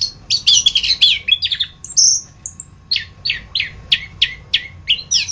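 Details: Masteran tutor recording of the orange-headed thrush (anis kembang): a fast jumble of bright notes, a long high whistle, then a steady series of about eight sharp downslurred chips roughly every third of a second.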